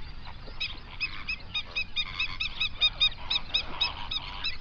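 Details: Hundreds of flamingos on a national park lake in South Africa's Overberg region, captured as a 3D binaural recording. A steady run of nasal, goose-like honks repeats several times a second over a low rumble of background murmur.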